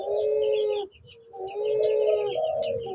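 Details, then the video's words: Hybrid dove, a cross of an Uncal Loreng (barred cuckoo-dove) and a Puter Pelung dove, called Cuhu LoPel: two long, deep, mellow droning coos separated by a short pause, with faint chirps of small birds in the background. "Suara Burung Cuhu LoPel (Uncal Loreng x Puter Pelung)"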